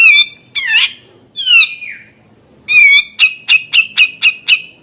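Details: Grey-cheeked bulbul song for provoking others of its kind to sing: harsh scratchy downslurs, then one long rasping call followed by six rapid, evenly spaced clipped notes.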